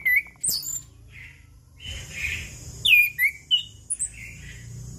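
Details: Chestnut-capped thrush song, played as a lure for birds gone silent, any time of day. Scattered whistled phrases rise and fall, with sharp upward-sweeping notes and short buzzy bits between brief gaps.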